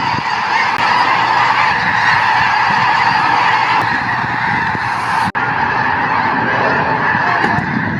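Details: Huge mixed flock of about 8,000 snow and Ross's geese at a refuge, calling as the massive flocks take flight: a dense, unbroken roar of overlapping nasal honks that fills the air, with one brief sharp break partway through.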